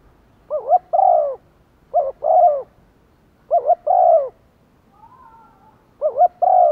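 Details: Spotted dove used as a decoy, giving urging and calling coos to attract wild birds. Four low cooing phrases, each a short double note then a longer drawn-out coo, repeated every one to two seconds.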